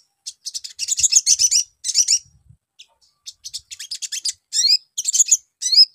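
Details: Rapid, high, scratchy chirps and trills from a Brown-throated sunbird, used as a lure so that birds in training answer quickly, given in uneven clusters with soft low knocks in the background.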